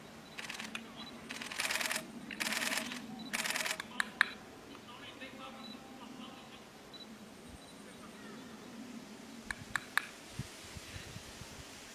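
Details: Rapid bursts of camera shutter clicks over a low murmur of voices, with no animal calling.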